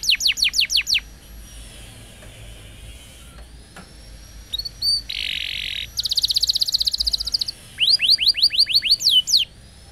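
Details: Canary roll song for young canaries in training: short bursts of rapid sweeping notes separated by quiet gaps, a buzzy block, a fast trill, and a final series of swept whistles.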